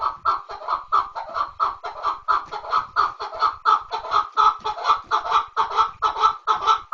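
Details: Loud, close chukar partridge calling, a fast unbroken series of harsh clucks repeated more than twice a second in a driving rhythm.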